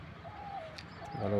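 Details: A dove, recorded from far away, gives a soft, low, hollow coo held for about half a second, then a shorter second coo, over a steady low rumble with a louder low sound at the end.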